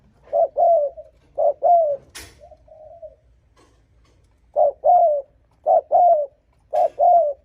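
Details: A spotted dove's provoking coo used to lure rival males. Soft paired coos, a brief note then a drawn-out descending one. A pause holds a faint coo and a sharp click before the pairs resume steadily.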